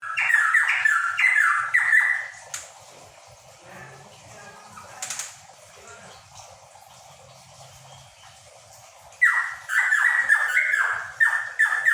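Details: Cucak pantai, a bird endemic to Papua, singing in bursts of rapid repeated phrases near two kilohertz at the start and again near the end, with a quieter gap holding faint clicks and low hum.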